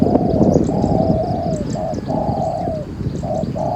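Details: Spotted dove cooing during a Thai dove-luring session, a series of long, hollow, slightly falling coos; loud rumbling noise at the start and a man's voice nearby.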